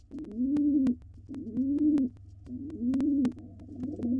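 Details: Wild male pigeon cooing to court a female before egg-laying, filmed inside a nest box: four rounded, low coos, each about a second long, with short gaps between them. A steady low hum and sharp clicks sit underneath.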